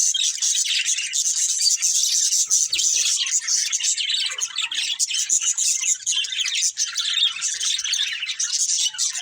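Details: A long stretch of nonstop budgerigar warbling from a colourful breeding pair: dense, high, buzzy twitters and clicks running together without a break.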